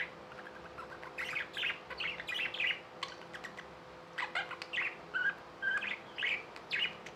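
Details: Chirping from pet budgerigars, clusters of short squeaky and warbling notes coming roughly twice a second, with a faint constant hum in the room.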